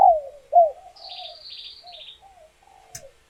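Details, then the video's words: Female spotted dove, laying and calling to stimulate males into cooing for pairing; two strong downslurred coos followed by softer drawn-out notes, while a higher bird twitters briefly behind. "Tiếng Chim Cu Gáy Mái Chuẩn Kích Trống"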